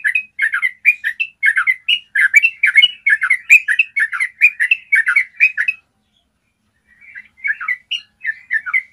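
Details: Long, clear trilling of a Yellow-vented bulbul for training birds to sing: about six seconds of fast, gurgling whistled notes, a second of silence, then the bubbly run starts again.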